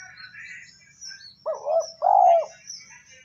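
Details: Spotted dove coo meant to prompt a decoy bird to respond: faint high chirps from other birds, then two deep, rounded, slightly quavering notes, the second louder and longer.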